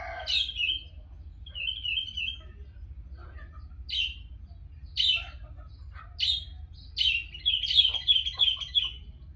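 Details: Sooty-headed bulbul singing actively: a run of short, bubbly whistled phrases, some sharp and rising, others rolling and warbled, in bursts through the clip over a low steady hum.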